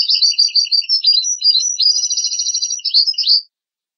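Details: Tutor song of a European goldfinch, played to teach goldfinch and hybrid chicks: a dense stream of high twittering, chattering notes and short buzzy trills that runs without pause, then stops abruptly after about three and a half seconds.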